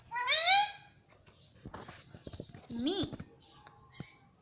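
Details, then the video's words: Talking pet parrot repeating "mummy": one strong harmonic word-like call, followed by short high chirps, clicks and a brief rising note. "Mummy Papa Bolne Wala Tota || Talking Parrot"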